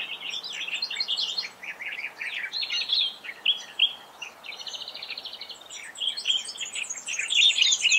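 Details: Overlapping Australian reed warblers at Laratinga Wetlands, South Australia, 9 January 2021. Loud churring and sweet phrases tumble over one another, with a buzzy, even trill in the middle. A superb fairywren joins in.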